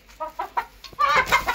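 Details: Chicken recorded naturally without added effects; a few short, nasal clucks about every fifth of a second, then a louder drawn-out squawking cackle.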